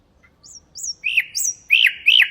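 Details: Common nightingale song strophe, used as a tutor for goldfinches and canaries: thin high slurred whistles, then louder downward-sweeping notes repeated in quick succession against near silence.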